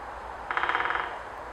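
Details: Great spotted woodpecker (Dendrocopos major), drumming.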